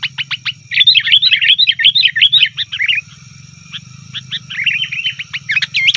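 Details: Lure call of sooty-headed bulbul: dense, rapid chattering of slurred notes, sharp clicks at the start, a quieter gap, then more scattered chirps; continuous low hum beneath.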